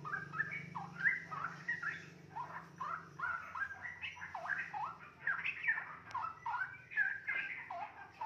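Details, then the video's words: Captive young straw-headed bulbul, 2.5 months old and already talkative, in a steady run of quick warbled and chattering notes that jump up and down, over a constant low electrical hum. "Bahan Calon Ropel anakan Cucak Rowo 2,5 bulan"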